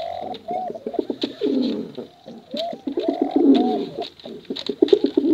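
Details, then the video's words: Contest pigeons, male and female, cooing bekuran style: near-continuous guttural rolling coos mixed with arched, bending notes, pulsing and overlapping, with light tapping clicks behind. "Suara Bekuran Burung Merpati Lomba Hutan Dara Durasi Panjang"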